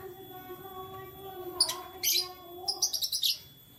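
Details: Canaries in the morning: a few high chirps followed by a fast series of five or six quick, bright twittering notes, with a low hum underneath.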